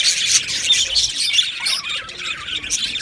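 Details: Australian budgerigars kept in an aviary colony, rapid overlapping chirps and harsher squawks forming a lively, uneven chatter.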